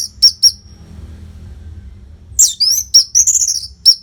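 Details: Orange-headed thrush, a caged contest-training bird from northern Bali: three sharp high notes, a pause of faint hum, then a rich run of whistled, slurred and chattering phrases.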